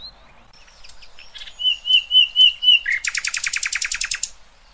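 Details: Nightingale song used to train young goldfinches and hybrids: quiet scratchy notes, then five pure looping whistles, then a fast rattling trill of about a dozen harsh broadband notes, ending abruptly.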